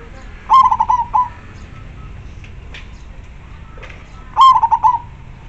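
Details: Zebra dove of local stock, clear and full-voiced, kept as a lure for wild doves: two bright cooing phrases about four seconds apart, each a held note breaking into rapid stuttering pulses, with quiet background.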